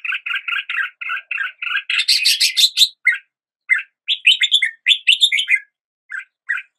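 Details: A red-whiskered bulbul gives a run of rapid repeated two-tone chirps, then a louder buzzy burst and sweeping whistled phrases, ending in scattered short notes; background otherwise silent.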